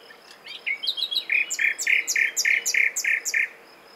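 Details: Common nightingale phrase: a few soft introductory notes, then a rhythmic run of about nine loud, throaty double notes repeated roughly three times per second, ending abruptly.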